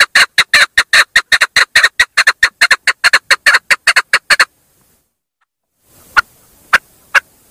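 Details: A female chukar delivers a fast burst of loud, raspy chuk notes for about four seconds, then goes quiet before three isolated sharp notes.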